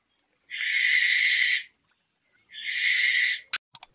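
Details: At night a barn owl gives two harsh, breathy screeches about a second long each with a brief pause between, followed by a few sharp clicks.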